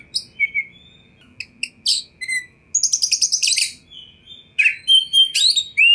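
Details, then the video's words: An Oriental magpie-robin sings a varied, rapid song of high whistles, sharp chips and a quick buzzy rattle, with clear sweet notes between bursts. "Kacer Anda Pasti Respon"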